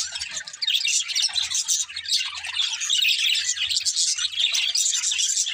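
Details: Several pet budgerigars, happy and playing, chirping and singing together: dense, continuous high twittering warble with rapid overlapping chirps and scratchy notes, barely pausing, with a faint low hum beneath.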